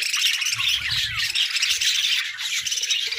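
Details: Budgerigars chatter steadily in overlapping high twitters and scratchy warbles, with faint low rumbling early on.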